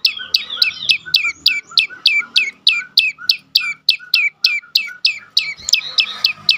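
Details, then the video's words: Prenjak lumut prinia singing as a lure for silent caged birds: a fast, slightly irregular string of bright high chirps, each dropping in pitch, repeated about three times per second with faint lower notes between. "full Dorrr prenjak lumut lain makin tergoda berbunyi sangat ampuh untuk pancingan burung bisu"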